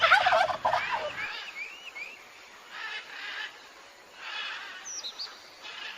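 A turkey lets out one loud, rapid, rattling gobble lasting about a second, followed by faint high chirps and whistles from smaller birds.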